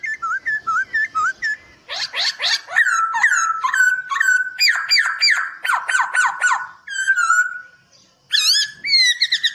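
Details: Gacor training song of a white-crested laughingthrush: short looping whistles open into a long series of steep down-slurred notes, then a brief gap and a burst of bright rising whistles.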